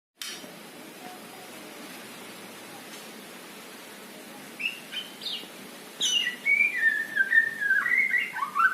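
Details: Male white-rumped shama singing in trotol style: after several quiet seconds of steady background hiss, loud clear whistled phrases begin, sliding up and down and running into fast, varied notes near the end.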